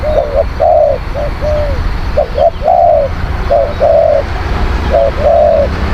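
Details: Cooing of a spotted dove used as a lure for wild birds: quick clipped notes followed by drawn-out, slightly falling hoots, in a steady run of phrases over low background hum.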